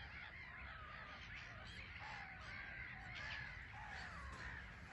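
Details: Black-headed gulls crowding a small island at Frampton Marsh reserve, constantly taking off and landing; overlapping harsh, slurred calls rise and fall in a steady chatter, with faint wind beneath.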